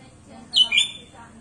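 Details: Single brief sooty-headed bulbul phrase, a bright slurred note falling in pitch and then a second lower note, from a chatty bird with a varied song.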